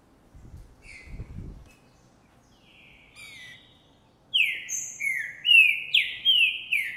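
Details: Green-winged saltator, Trinca Ferro Boi type, recorded January 2024 while courting after seeing a female; faint notes and low thumps at first, then a loud run of rapid falling whistles over the last seconds.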